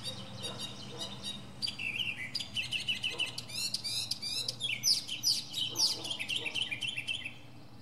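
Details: Mockingbird, northern species, in full song from a pine treetop, a loud dense medley of shifting high phrases, trills and sharp chirps changing every second or so, showing its many different sounds.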